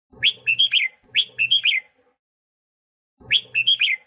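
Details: Red-whiskered bulbul singing for voice training and to rouse newly caught birds: two brisk whistled phrases of four notes in quick succession, a pause of over a second, then the same phrase again, with a soft low hum beneath.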